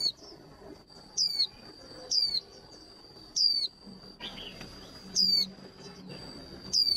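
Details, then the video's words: Female white-eye used to stimulate male birds into quick singing before contests, giving bright descending whistled notes roughly once a second, with a constant high-pitched tone running underneath and soft low background noise. "Tiếng khuyên mái kích trống nhanh líu"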